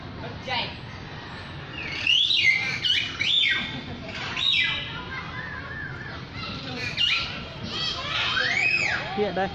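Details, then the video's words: Lyrebird pouring out a varied sequence of sharp rising whistles, quick chirps and high looping arcs, notes grouped in bursts with short pauses between. "Amazing! Bird Sounds From The Lyre Bird"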